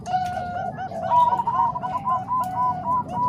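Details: Zebra doves, Bangkok and Cemani Kolbuntet voices combined for tutoring doves. A long level coo leads into an evenly repeated series of rounded notes, about three each second, over faint background.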